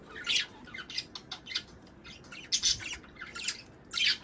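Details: Budgerigars in a breeding-stimulation recording give scattered harsh, high squawks and short chirps, spaced irregularly, in a quiet, small room.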